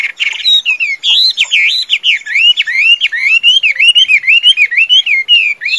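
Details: Tame Chinese hwamei, described as a strong singer and good fighter, delivering a loud, fast run of clear whistled notes that swoop up and down, with quick rising-falling phrases repeated almost without pause.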